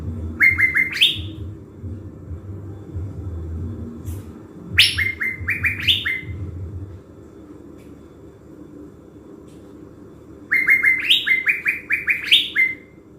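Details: Caged decoy blue-winged leafbird in Bình Thuận, Vietnam, prepared for a forest trapping trip. Three bursts of rapid ascending whistles, each a quick climbing run of about six notes, are separated by pauses of several seconds. A low rumble is present early.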